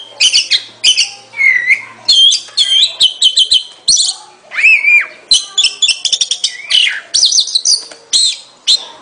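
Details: Rich, rapid song of an Oriental magpie-robin, with sharp chipping notes, looping whistles and scratchy twitters packed closely together, one longer arched whistle near the middle.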